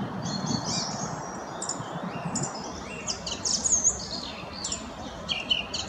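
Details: Varied song of a song thrush (Turdus philomelos), a bird that sometimes imitates other species: chirps, downward slurs and high squeaky notes in irregular phrases over soft outdoor hiss.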